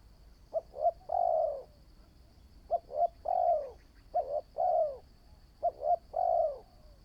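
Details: Young decoy spotted dove being trained, giving three phrases of two or three short hiccuping notes ending in a drawn, slightly falling coo, with faint soft ticking above and a thin continuous high tone.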